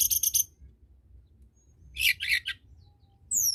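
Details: Blood-breasted flowerpecker (tledekan gunung) in energetic 'gacor' song meant to spur lazy tledekan birds into singing: quick bursts of dry, high ticking clicks in two clusters, ending with a thin descending whistle over faint low hum.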